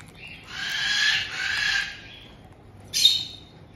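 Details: In a Tokachi, Hokkaido home, June 2023, a resident pair of white-bellied caiques greets a two-month-old newcomer. Two drawn-out, hoarse, rasping squawks are followed by a short, sharp screech.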